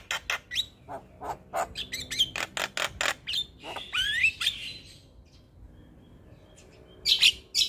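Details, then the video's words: White-eyed black-winged starling, a contest-winning singer, in full-repertoire song: a string of rasping chips and whistled slides, a short quiet pause, then a final burst of harsh notes. "Masteran Jalak Kebo Full Isian"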